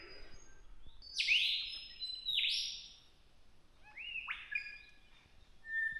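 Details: Lyrebird in Victoria's High Country near Mt Terrible pours out loud, ringing whistled notes in bursts: two strong sweeping phrases, then rising clear notes, mimicking kookaburras and cockatoos over quiet bush.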